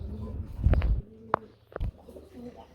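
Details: At a pigeon farm in Ashulia, Savar, Dhaka, a running (breeding) male domestic pigeon of a calling breed, one of a blockless-coloured pair, gives a low, rolling, circling coo followed by a couple of sharp clicks.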